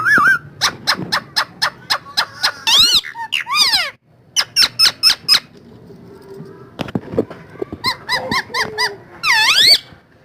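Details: A rose-ringed (ringneck) parakeet, a talking parrot filmed dancing, gives bursts of sharp, rapid clicks and high, arching squawks, several in quick series, with a faint low hum underneath.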